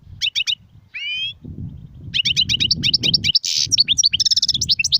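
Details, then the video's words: Goldfinch in sarfati, guezrati and tsersir song styles: quick chirps, a drawn-out nasal rising note, then a long string of crisp twittering notes, one harsh burst, and a fast buzzy trill, with low background noise throughout. "صوت طائر الحسون نار 🔥🔥🔥 ( سرفاتي, ڨزراتي,ت سرسير )"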